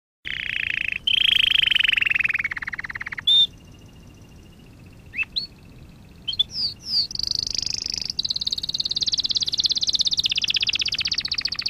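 Canary song: rolling high trills and buzzy tours, then bright rising whistles and a long, fast, shimmering trill, with brief pauses between phrases.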